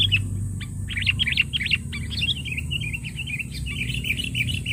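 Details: Sooty-headed bulbul lure call meant to challenge rivals: a run of short, bright chirped notes, then a steady stream of rippling, warbled phrases, over a low constant hum.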